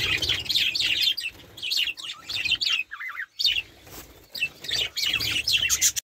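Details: Budgerigars giving a dense, rapid warbling chatter of squeaky chirps and clicks, with one short rising-falling whistled phrase near the middle.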